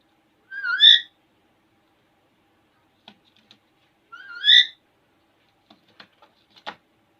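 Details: Alexandrine parakeet, a talkative pet parrot in front of a mirror, makes two loud whistled rising calls about three and a half seconds apart, followed by soft clicks and taps.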